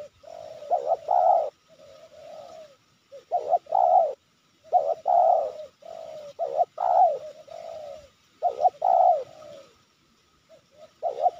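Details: Wild spotted dove near Sibolangit, Indonesia, cooing persistently while trappers watch lure traps set for it: low, mellow coo phrases in groups of two or three notes, repeated with pauses of about a second, quiet background.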